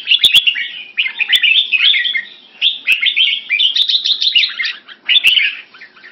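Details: Red-whiskered bulbul kept in Singapore, French-molt plumage, singing in a contest against a rival and other birds. Dense, fluid chattering runs of notes, nearly continuous, broken by faint short gaps and clicking ticks.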